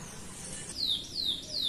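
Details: Loose chestnut-bellied seed finch (curió) in the Belém song style giving three sharp, high whistled notes, each dropping steeply in pitch, after a faint higher tone.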